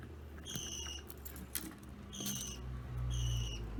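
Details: Pet budgerigars (opaline violet blue, lutino yellow, and a young green opaline) playing with plastic chain toys indoors; one gives three short, high, steady chirps about a second apart, over light metallic clinks and a low household hum.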